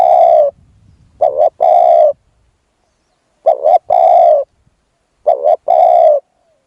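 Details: Spotted dove calling as a decoy to lure a wild dove: three complete cooing phrases after the tail of an earlier one, each a double stutter note and a long mellow coo, spaced irregularly.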